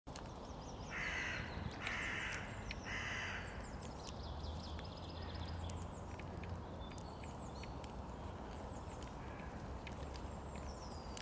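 Three harsh, hoarse caws about a second apart, then quieter scattered bird notes over a steady low rumble of background noise.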